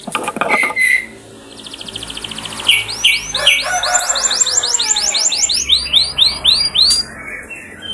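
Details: Canary singing as a lure to get canaries singing: an opening high whistle and brief trill, then a long run of quick swooping whistled notes repeated about four times a second, with a faint musical background.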